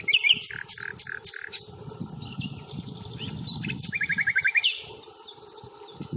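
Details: Common nightingale at the Fingringhoe reserve on 1 May, filmed on a Panasonic Lumix FZ82: several sharp separate notes, then a rapid machine-gun series of about a dozen mid-pitched notes, over low rustling ground noise.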